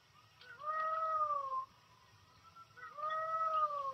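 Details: Two drawn-out wailing peacock cries, each rising briefly and then sliding gently down, separated by a pause of about a second over a quiet low hum. Peacock cries are believed to be heard before rain.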